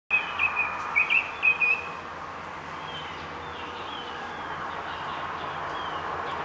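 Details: A Northern mockingbird (Mimus polyglottos) sings a quick burst of six or seven bright, sharp chirps over two seconds, then only a steady outdoor hiss remains.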